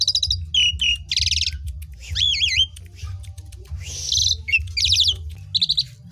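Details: Singing Asian pied starling, played to stimulate reluctant birds to sing: rapid mix of warbled whistles, harsh rasping bursts and looping wavy notes, with a constant low hum beneath.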